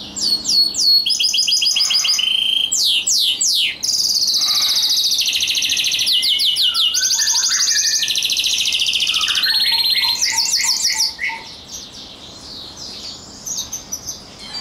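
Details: Rosefinch and canary mule hybrid singing a long, loud, varied song: rapid repeated high trills, sweeping downslurred whistles and sustained rolling phrases, fading into softer scattered notes near the end.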